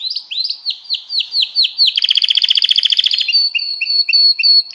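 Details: Canary singing a mating song, used to train other birds: a run of rapid descending whistled notes, then a fast buzzy trill about a second long, ending in clear, sharply repeated high chirps.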